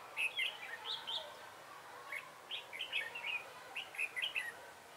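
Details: Decoy red-whiskered bulbul singing to lure wild birds into a trap, 3 November 2017; bright, liquid warbled phrases of quick slurred notes, delivered in bursts through the clip over faint background noise.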